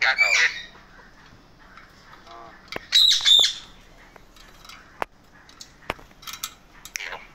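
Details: Pet male Indian ringneck in a cheerful mood. A loud squawk opens, then a pair of sharp, ringing shrieks comes near the middle, with faint clicks and quieter chatter afterwards.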